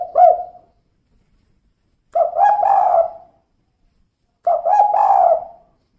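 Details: Soft coos from a female spotted dove in the kuk 2 style: a single hoot, then two phrases roughly two seconds apart. Each phrase opens with short notes and ends in a long, wavering, falling coo, in quiet surroundings.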